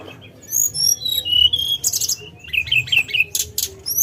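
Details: Tledekan gunung singing clear high whistled notes, then a run of quick descending slurred whistles and a few very high, thin notes near the end.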